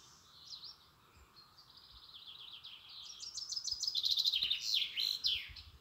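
European robin singing a high, thin, varied warble of trills and sweet tumbling phrases, growing louder toward the end; faint background hiss.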